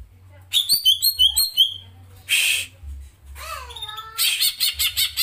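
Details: Greater green leafbird of the Alas Purwo type, singing in its characteristic rolling 'tembak ngeroll' style: rapid series of high, bright chirped notes, then a breathy burst, a downslurred whistle and a fast pulsed trill.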